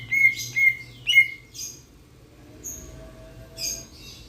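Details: Grosbeak starling from Sulawesi making three clear, bright chirps about half a second apart, followed by softer rasping notes and a faint hiss in the background.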